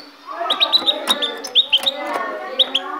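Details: Caged goldfinch from Ecuador singing: bright whistled notes and short chirps near the upper range, repeated rapidly over a steady background with lower harmonic tones and clicks.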